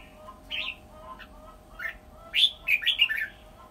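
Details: Red-whiskered bulbul used as a decoy, near the end of its moult: a few soft whistles build into a quick, bright rolling phrase of descending warbled notes, with a faint constant hum behind.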